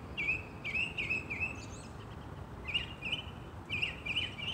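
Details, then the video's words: Spring song of a northern mockingbird perched in a New Jersey holly tree: clusters of sharp, twangy chirps repeated in short bursts, separated by brief pauses, with soft outdoor noise beneath. "Spring Mocking Bird song"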